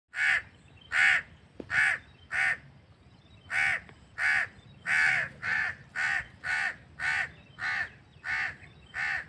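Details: Crow recorded naturally outdoors, giving a long series of harsh, nasal caws, about fourteen loud notes spaced roughly every half second to second with brief gaps, over a faint low background hum.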